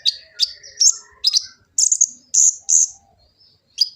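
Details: Kolibri ninja sunbird from Gresik, East Java, captured on an Android phone, giving its varied song: quick piercing chirps, then several longer buzzy high tones held briefly, with thin descending whistles underneath, in a quiet setting.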